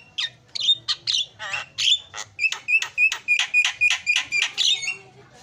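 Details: Black-winged myna, a champion songster, singing a run of about sixteen loud, clear whistled notes in quick succession, several with a sharp upward flick, rising in pace and loudness before stopping.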